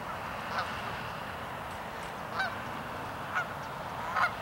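A night heron gives four short, hoarse, barking quok notes at irregular intervals over a steady hiss of background noise.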